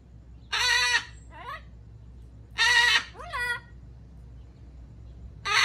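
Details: Amazon parrot giving loud harsh squawks, each about half a second long, with shorter rising nasal notes after the first two squawks, repeated about every two seconds over a low steady background hum.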